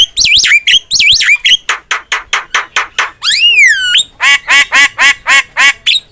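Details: Javan myna used as a training recording for cage birds: rapid looping whistles, a long sliding rising whistle, then a steady run of harsh, chattering notes about four per second, loud and close.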